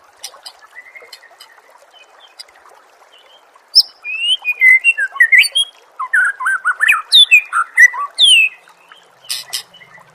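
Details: Training recording of murai song for contest birds: quiet start with faint chirps, then a loud dense stream of rapid slurred whistles, trills and warbling phrases in quick succession.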